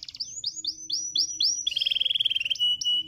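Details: Canary song used to stimulate other canaries to sing: a series of quick rising swept notes, then a fast buzzy trill on one steady high pitch, ending in short sharp notes.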